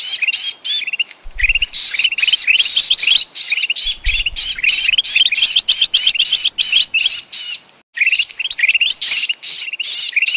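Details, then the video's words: Trapping lure of a sooty-headed bulbul. Long bouts of dense, scratchy chattering run on for several seconds, broken by one brief silence, with low thumps early on. "suara pikat burung kutilang emas paling ampuh"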